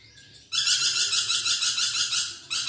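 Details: Budgerigar song for training magpie robins: a loud, buzzy, rasping chatter starting abruptly after a faint whistle and continuing with rapid pulsing for two seconds.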